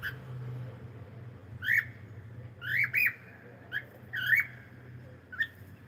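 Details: A cockatiel gives short, upward-sweeping whistled chirps with rich overtones, in single or paired bursts about once a second, over a low steady hum.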